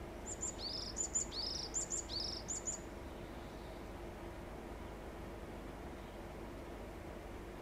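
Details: Varied tit singing while stretching after bathing and preening, 13 June 2021; four short high thin two-part phrases repeat quickly through the first three seconds, followed by steady low background hiss.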